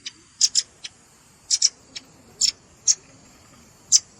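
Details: Velvet-fronted nuthatch sounds for luring birds, combined with juvenile calls: spaced, sharp, high chips, several given as quick pairs, with pauses of up to a second between them.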